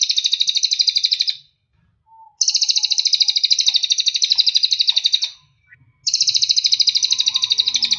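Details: Cililin master song used to train birds to sing; three long high trills of rapidly repeated buzzy notes separated by short pauses, with faint low clicks and rustling beneath.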